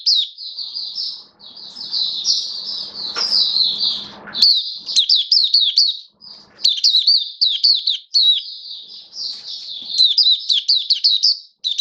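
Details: White-eye in a cage, hobby songbird, recorded 19 September 2022 in build-up singing form: long, continuous high twittering warble of quick slurred notes, broken by a few short pauses, with a faint low hum early on.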